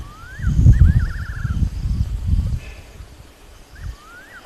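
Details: At sunset by a waterhole in Rietspruit Game Reserve, South African Lowveld, on 20 March 2024, a fiery-necked nightjar gives clear rising whistled notes breaking into a quavering trill, over heavy low wind or handling rumble.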